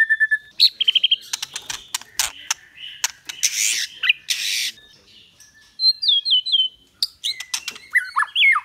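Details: White-rumped shama song in the 'kéo thuốc lào' and 'hót giọng dây' styles: a whistle, then sharp clicks, harsh rasping bursts and chattering, ending with quick high slurred whistles and falling phrases.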